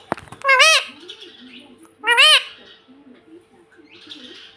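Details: Pet ringneck parrot giving two loud, harsh, arched screeches about a second and a half apart, each rising then falling, with a click at the start and faint chatter in between.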